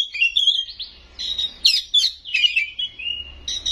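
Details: Kacer (Oriental magpie-robin) singing gacor full isian with nembak shots: clear whistled notes, sharp loud bursts around halfway, and a brief steady whistle before the phrases resume.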